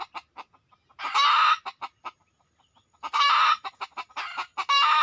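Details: Red junglefowl giving series of brief staccato clucks interspersed with three loud, extended raspy cackles, each around half a second long, in an otherwise quiet setting.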